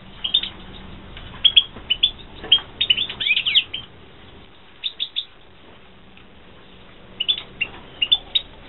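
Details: European goldfinch, Carduelis carduelis, kept for breeding in 2016, gives clusters of sharp twittering notes separated by silent gaps of a second or more, over a faint background hum.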